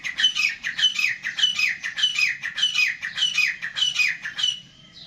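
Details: Black francolin (kala teetar) calling: harsh, grating notes with falling slurs, repeated in a steady rhythm of about one phrase every 0.6 seconds, then breaking off abruptly into quiet.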